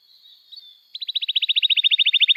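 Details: Canary singing for teaching young canaries: a faint steady tone first, then a rapid, even series of high chirps growing steadily louder.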